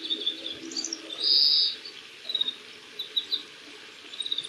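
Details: Oriental greenfinch singing in spring at Yuzawa Central Park on 14 March 2026; varied twittering song of short high chirps and trills, with one louder buzzy note near the middle and scattered faint chirps around it.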